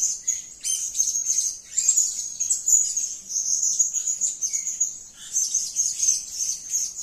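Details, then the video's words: Continuous chatter of very high, sibilant chirps from a blue-crowned hanging parrot (serindit) in 'gacor' calling, rhythmically pulsing and scarcely pausing throughout. "Edisi Suara Serindit Gacor || suara gacor si Sayap Kuning memanggil"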